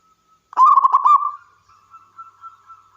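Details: A single quick, purring trilled coo from a local wild zebra dove, ending in a sustained fading note, followed by a few soft, faint notes in the quiet.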